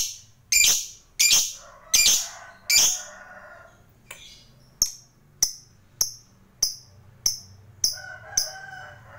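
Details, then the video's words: Fighter lovebird calling: four loud harsh squawks in quick succession, then a long regular string of short, clipped chips about twice a second, over a low background hum. "Suara Burung Lovebird Ngekek Panjang GAYA MEWAH ISTIMEWA"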